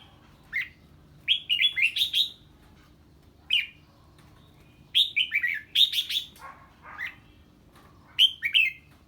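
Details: Red-whiskered bulbul singing after hearing an unfamiliar bird: bursts of bright, slurred whistled notes around mid-high pitch, in short phrases of three to five notes separated by brief pauses.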